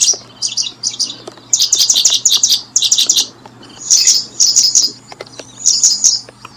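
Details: Paddyfield pipit at its nest while brooding: high, sharp chirps in quick clusters, grouped in bursts of three to five with short pauses between them, over a steady low hum.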